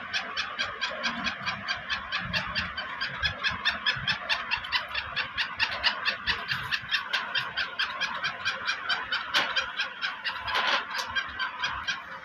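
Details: Captive black francolin of the black Sindhi type gives a steady run of harsh, scratchy clicking notes, roughly two per second, with one brief louder crack near the end.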